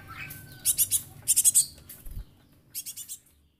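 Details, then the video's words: Young Java sparrow used as a lure bird, called rare and close to extinction and good for tutoring; soft short runs of high chips in three groups, the last quieter, after a faint whistled note at the start. "Glatik anak,an pancingan"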